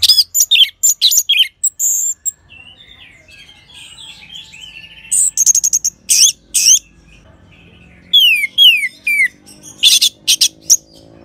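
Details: Song of an orange-headed thrush from Singaraja, Bali, played to coax other birds into singing: clusters of high chirps, a pause with faint murmur, then descending whistled slurs and sharp notes in short bursts.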